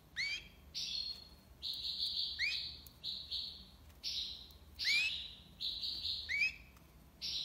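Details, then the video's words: European goldfinch, tiwawati libassad song: lively alternation of rising whistled slurs and flat buzzy high twitters, phrases following each other closely over several seconds. "مقنين(حسون) تيواواطي ليباساد"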